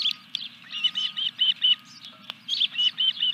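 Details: Osprey calls during a fish delivery at the nest, 14 July 2021, evening; clear, evenly spaced piping whistles in a quick series, briefly broken by a click, with a faint hum beneath.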